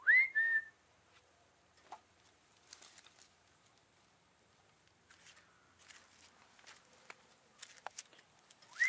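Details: Peacock calling from a roof during feeding: a loud two-note cry opens, rising then level, followed by scattered rustles and taps, and a new rising cry begins at the very end.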